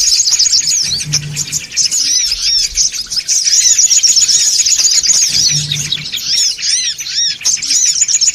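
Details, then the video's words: Lure recording of songon birds calling noisily, a packed crowd of shrill, rapid chirps and rising-falling squeaks running almost without pause, with a soft low hum now and then. "SUARA PIKAT SONGON OTONG (RIBUT)"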